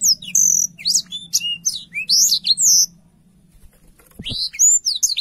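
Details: Black-throated canary song in two bursts: high chirps and whistled slurs, a pause with a brief click-like knock, then more rising whistles.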